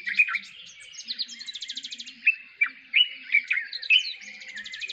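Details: In Kruger National Park, a Dark-capped Bulbul gives quick, liquid chirps and slurred whistled notes in rapid bursts, with dry rattling trills between them.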